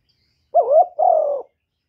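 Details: Two soft, low coos from a spotted dove, the first bending down then up, the second steady and slightly longer, with clean silence before and after.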